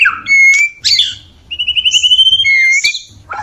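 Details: Courting male white-rumped shama: a clear flat whistle, a harsh burst, then a rapid pulsed trill gliding into a pure high whistle and sliding notes.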